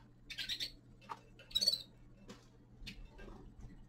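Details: Young male common linnet in winter giving short buzzy twittered notes, a cluster near the start and a brighter pair midway, among dry clicks and a steady low hum.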